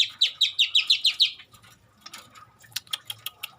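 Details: Long-tailed shrike in full song with mimicry of garden birds: about eight quick descending high chirps in a fast burst, followed by softer scratchy notes and a string of sharp clicking ticks.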